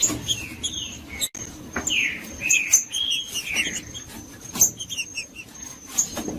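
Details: Green-winged saltator, of the type called judas, singing to rouse other saltators: loud slurred whistles sweeping down then up, in a few phrases, with scattered clicks, a thin steady high tone and faint chirps.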